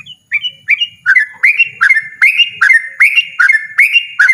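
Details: A loud ropel song from a yellow-vented bulbul. It opens with a few higher whistles and then settles into steady repeated bubbly, dipping phrases about twice a second, in a quiet setting.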